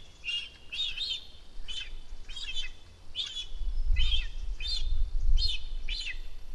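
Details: Young cinereous vulture, one month after its first flight, begging from its nest at Rascafría in Sierra de Guadarrama National Park on spotting a parent overhead. It gives high squeaky arched notes, about three per second, in uneven bursts over a low rumble.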